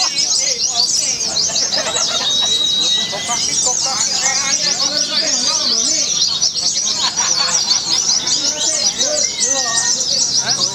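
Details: White-eye (pleci) at a singing contest in Semarang, Indonesia, 'shooting' (nembak), tirelessly pouring out a long, dense high twittering chatter, with other birds trilling alongside, crowd voices and whistled lines below.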